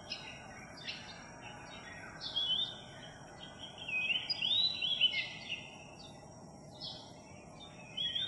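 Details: Skittish Philippine magpie-robin from a flock newly arrived in a village, singing on July 3, 2021: scattered short whistles, then a denser burst of slurred, rising and falling notes mid-phrase, with quieter pauses between bursts.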